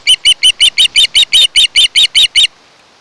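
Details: Nest-camera recording of an osprey pair's nest on Kent Island, Maryland, 1 August 2018: a rapid run of about thirteen loud, piercing whistled chirps, then sudden quiet.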